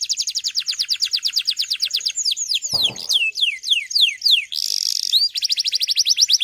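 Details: Male canary singing loudly, kept to train young birds: fast trills of downward-sweeping notes around high pitch, slower slurred descending whistles in the middle, a buzzy rattle near the end, then rapid trill again; a brief low thud midway.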